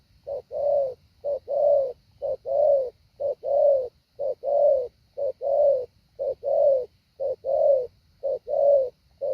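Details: Decoy spotted dove in training giving a patterned 'hạ bổi' call: a quick clipped coo then a longer throaty one, repeated in an even rhythm near one note per second, background otherwise quiet.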